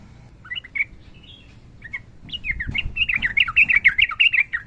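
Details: Sooty-headed bulbul in long rapid-fire fighting song: a few hesitant whistled notes, then a quickening, continuous bubbly warble of rapid repeated notes building in loudness.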